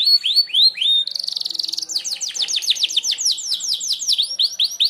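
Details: Merlok canary with a sharp shot song for mastering other birds: curved whistled notes, a buzzy rattling trill, then a long run of bright descending whistles in quick succession.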